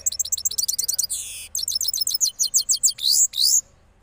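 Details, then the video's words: Cross goldfinch singing after its moult, from Parachinar: quick rolling series of high tinkling notes broken by harsh buzzy bursts, the phrase pouring out steadily for over three seconds. "Cross Gold Finch Part 3 After Moulting Rolling Songs"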